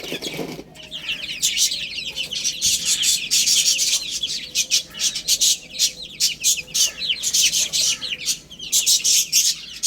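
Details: Little chicks pecking at spinach, producing high descending chirps mixed with frequent loud crackling bursts from feeding.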